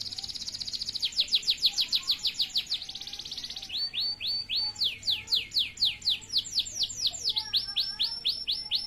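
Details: Male canary in full song, delivering fast, high rolling trills of repeated upswept notes that change pace several times, with slower, louder downslurred phrases between, over nine continuous seconds of bright, unbroken warbling.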